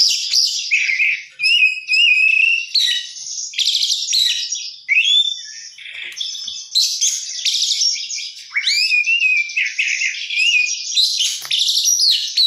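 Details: Kacer (oriental magpie-robin) pouring out 'gacor isian mewah' song, rich in fill-in phrases: dense trilled bursts alternating with brief gaps, clear whistles and a sweeping slurred note partway through.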